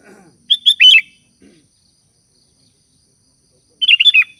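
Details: Sooty-headed bulbul (kutilang) calling to its companions: two short bursts of four quick, bubbly chirped notes around a bright mid-high pitch, the first near the start and the second near the end, with silence between and a faint low rustle at the start.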